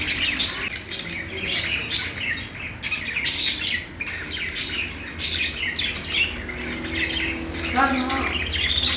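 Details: Budgerigars chirping: dense overlapping high twittering and squawky chatter in rapid bursts throughout, with a low steady hum underneath.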